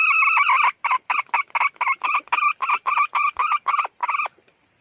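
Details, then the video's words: A hen calls with a long opening note, then a rapid run of about fourteen short, clipped, harmonic syllables, roughly four per second. The syllables are evenly spaced and similar in pitch, with no background noise. "suab poj qaib qug"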